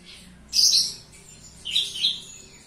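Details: Lively indoor song of a Javan bush lark. A high scratchy burst, then a lower warbled phrase about a second later, over faint hum.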